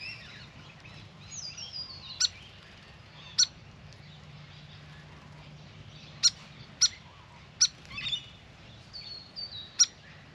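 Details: Hyperactive grey fantail visiting a birdbath: thin, high, slightly descending squeaky whistles, then a series of sharp clicking chips at uneven intervals, quiet outdoor background.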